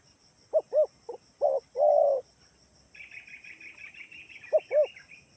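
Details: Spotted dove lure call from Kalimantan meant to make other doves reply: several short arched coos and a longer drawn coo, followed by faint higher chirping, then two more short coos.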